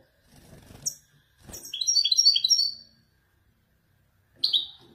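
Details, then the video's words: Moroccan Widani European goldfinch performing authentic Marrakech-style nzoulat song passages: a high, tinkling run of quick twittering notes, with a short bright burst near the end and faint low rustling beforehand. "حسون ويداني يتفنن بالنزولات المراكشية الأصيلة"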